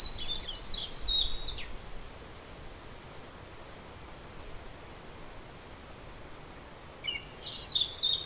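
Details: European robin singing: two short bursts of high, thin, rapidly warbled phrases about five seconds apart, separated by quiet steady background hiss.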